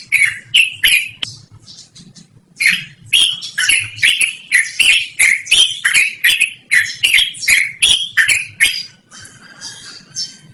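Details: Yellow-vented bulbul giving its loud, melodious song, suited to luring or training birds; bursts of rapid bubbly, warbling notes, with a brief gap near the start and fading at the end.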